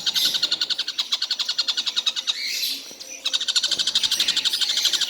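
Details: Tengkek buto kingfisher, a bird that calls all day without stopping. It gives fast, high, piercing notes in a steady run, pauses under a second, then resumes the same rapid repeated series.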